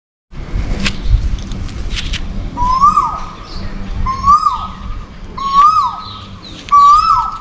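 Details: Asian koel calling continuously for a mate: after a few seconds of low rumbling background, four loud two-part notes rise then drop, each with a fainter high overtone, repeated about every 1.3 seconds.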